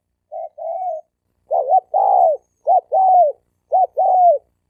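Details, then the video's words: Challenge cooing between wild male spotted doves used to provoke fighting: clean, mellow paired notes, a quick short coo then a drawn-out downward-curving one, three such pairs in close succession with no other sounds. "Tiếng chim cu gáy bổi đấu bổi"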